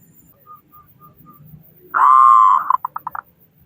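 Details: Loud local zebra dove from Indonesia, its song meant to make other doves start singing: soft faint coos, then a long buzzing note that ends in a stutter of five short pulses over low background murmur.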